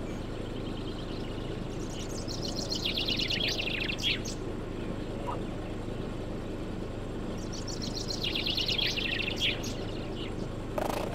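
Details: Common chaffinch (Fringilla coelebs) singing to attract a mate: two bright, cascading phrases a few seconds apart, each tumbling down in pitch to a quick flourish, over a steady low hum.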